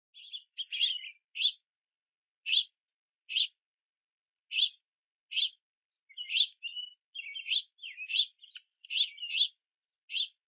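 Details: Juvenile house finches begging for food at a backyard platform feeder in the rain, chirping and flapping wings at parents; sharp, high chirps repeated in irregular bursts, some with short rasping trailing notes, no other sounds.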